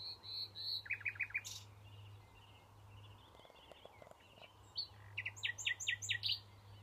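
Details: Common nightingale singing in June at Knepp rewilding project, Sussex: loud, varied phrases of pure whistles, then fast runs of repeated notes, with pauses between phrases, over a steady low hum.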